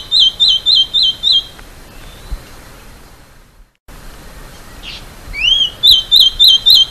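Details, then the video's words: High-pitched song of a masked gnatcatcher. Quick runs of short, squeaky slurred notes come several per second, and rising whistles introduce the second run after a silent gap. "balança rabo de máscara e seu lindo canto"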